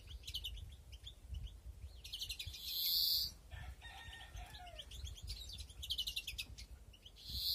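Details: Breeding European greenfinches in a flight aviary, 2021: quick high twittering chirps break into two strong drawn-out buzzy wheezes, one mid-clip and one at the end. A brief lower tonal call comes between them.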